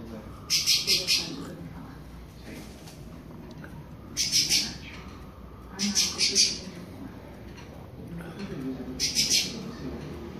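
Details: Creamy-bellied thrush warming up the classic song: four short phrases of two to three high notes each, scattered over ten seconds, with soft murmuring voices underneath.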